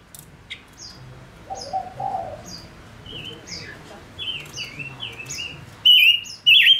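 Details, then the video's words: Decoy male Gouldian finch singing for trapping wild birds: a faint series of high chirps and low coos from nearby birds, ending with two loud, sharp, wavering whistled notes. "Chim ngũ sắc mồi hót cực hay kích bổi nhanh nổi | chim ngũ sắc hót"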